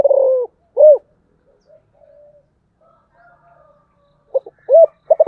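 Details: Spotted dove calling in a local-voiced calling style; low, hollow coos, a loud rounded note near the start, then quieter murmured notes and a quick run of short coos at the end.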